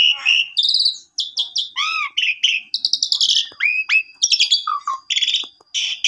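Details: Asian pied starling in lively full song meant to stir a sulking, silent bird into singing: rapid varied mix of squeaky whistles, rising and falling slurs, rattling chatters and sharp clicks, delivered almost without pause.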